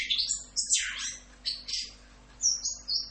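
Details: Orange-headed thrush (anis kembang) in 'Rock'n Roll' style masteran song: a burst of harsh, descending chattery notes, then brief quieter phrases and two clear high whistles near the end, against a soft background hum.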